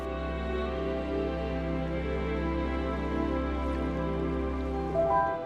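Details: Soft, sustained ambient music over a steady low drone, with gentle tonal layers and no animal voices.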